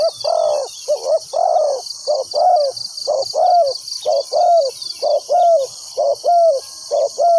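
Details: Decoy spotted dove calling on the ground to draw wild doves toward a trap. A steady run of soft, hollow coos comes about once a second, some doubled, over a continuous shrill insect drone.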